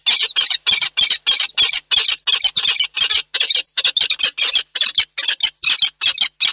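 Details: Peregrine falcon pair meeting at a nest in Reda, Poland, after a storm, 1 July 2022 at 20:10; loud, harsh, rapidly repeated calls, several per second, with a grating, chattering quality throughout.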